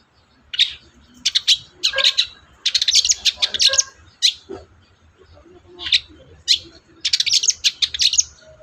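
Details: Long-tailed shrike song for prompting a silent bird: fast bursts of scratchy, chattering notes in runs, broken by single harsh calls and brief pauses.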